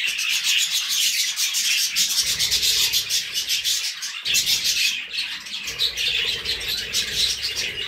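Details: Budgerigar chatter, raspy and scratchy, rapid grating notes mixed with bright chirps in a dense, rhythmic pulsing warble that barely pauses.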